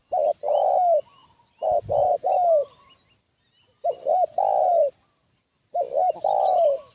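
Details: Spotted dove calling as a decoy to lure wild doves: repeated mellow coo phrases, two brief notes then a long downward-sliding coo, roughly every two seconds, with a low thump and faint high bird chirps.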